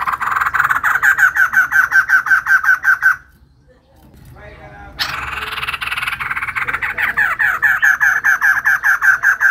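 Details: Female white-crested laughingthrush in full, active song: rapid harsh chattering notes repeated about twice a second, breaking off into a brief silence, then resuming as a denser, noisier laughing chatter.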